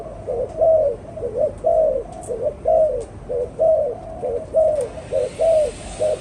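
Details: Spotted dove giving a steady run of soft, low coos, about a dozen short notes over six seconds, each a brief hooting phrase with a slight downward slur, delivered at a fairly even pace against a quiet background hiss.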